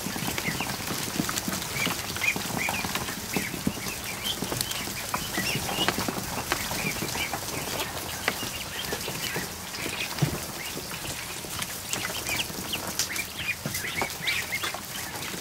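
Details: Over a hundred newly hatched ducklings in a kiddie pool in a barn one afternoon: a dense, steady chorus of high, short peeps overlapping constantly, with splashing and soft clicking water sounds throughout.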